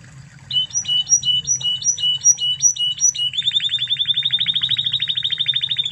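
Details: Spanish Timbrado canary of Spanish origin singing a master song for tutoring other canaries: a series of clipped two-part metallic notes, then a fast, even, bell-like trill rolling for over two seconds.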